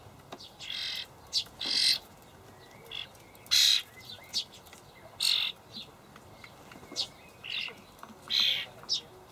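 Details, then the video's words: Young common starlings in a Hamburg allotment garden on 28 May 2012, fed by parents; short, scratchy begging squeals at irregular intervals, some with a thin whistled edge, quieter overall with pauses. "junge Stare (Sturnus vulgaris)"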